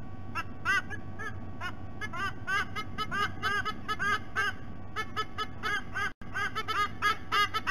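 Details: Nest-camera recording from Sydney Olympic Park, Australia, of adult White-bellied sea eagles: quick series of clipped, nasal honking notes in uneven clusters, steady low rumble beneath, and a short dropout near the end.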